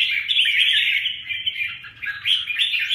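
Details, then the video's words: Red-whiskered bulbuls in a fight, giving rapid, unbroken chattering and warbling notes crowded together without pause. "Huế bướm huế tê giác phệt nhau"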